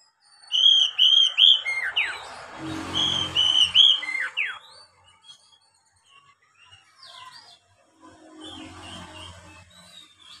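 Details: Oriental magpie-robin song, used to coax beginner birds into singing readily: loud clear whistled notes repeated in quick bursts with sweeping slurs, interrupted midway by a low rumbling noise, then fainter whistles and a brief rasp.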